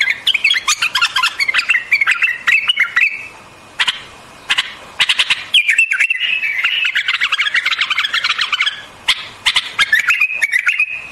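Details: White-eared bulbul singing: a run of quick, bubbly warbled phrases that rise and fall, broken by sharp broadband ticks and taps, then a pause before another chattering, wavering phrase settles into a steadier whistled ending.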